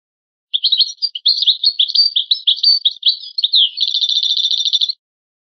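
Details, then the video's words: European goldfinch singing on a rare old recording of the original goldfinch song: a fast run of tinkling, twittering high notes, ending in a rapid buzzy trill of repeated notes, with no other sounds. "شريط نادر للغة الحسون الاصلية Chant chardonneret ancien"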